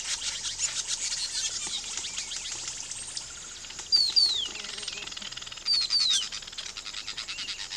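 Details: Weaver birds during nest building: a dense, high, buzzy chattering throughout, with several sharp downslurred whistles standing out midway and near the end.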